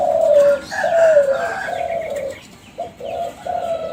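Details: Captive young spotted dove of the Kelantan strain, champion lineage, giving lure cooing: a loud slurred coo dropping in pitch, a longer hoarse coo, then three short even coos after a pause.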